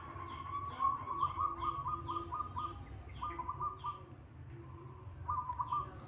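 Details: Local Indonesian zebra dove delivers a rapid rolling coo of evenly spaced pulses, then several shorter bursts in the same rhythm. Thin high chirps repeat about twice a second behind it, over a soft low hum.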